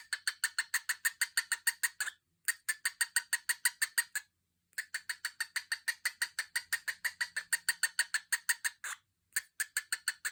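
A cockatiel makes a fast, rattling series of harsh clicks, with a few brief pauses.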